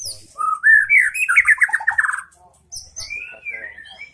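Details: White-rumped shama, a caged young 'trotol' bird kept to make other shamas answer, delivers a loud rising whistled phrase that breaks into a rapid rattling trill, then a pause and a softer sliding whistle.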